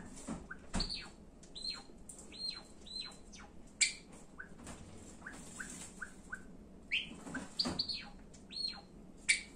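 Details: A pet Java sparrow indoors sings and gives calling-out and affectionate begging calls: bright, bell-like chirps and short high notes, some descending, others clicking, in irregular bursts over a quiet background.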